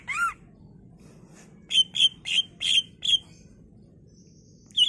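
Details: Greater green leafbird singing to prompt other leafbirds to reply: one looping whistle, then five evenly spaced, clear whistled notes and a final short note, against a steady low noise.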